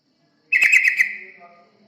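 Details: Yellow-vented bulbul song used as a lure recording to attract other birds: one short, bubbly burst of quick chirping notes, falling away into a faint echo, with no other sounds.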